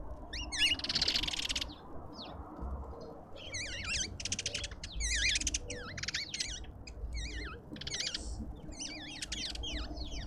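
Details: Several lovebirds keep up continuous chatter at a suburban garden feeder in Pretoria, South Africa. Sharp, twisting, high squeaks come in rapid clusters with occasional rasping screeches.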